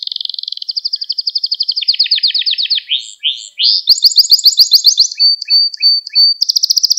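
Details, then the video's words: A Gloster canary sings to stimulate other canaries: steady rapid trill, a lower rolling run, bright repeated sweeps, then alternating whistles and quick high ticks, unbroken throughout. "Gloster Kanarya Sesi Ve Ötüşü | Kanarya Huylandırma | Kanarya Kızıştırma"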